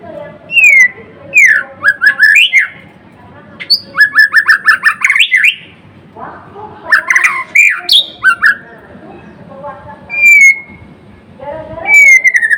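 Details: Caged white-rumped shama, locally murai batu or murai blorok, singing loud varied phrases: rich swooping whistles, harsh chattering bursts and rapid trills in clusters separated by short pauses, with a few pure drawn-out whistles.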